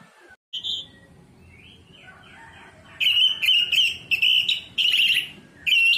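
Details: Orange-headed thrush singing in a lure recording: one brief high note, then a quiet gap, then a string of loud, piercing, steady notes at one high pitch, each lasting about half a second and separated by short pauses.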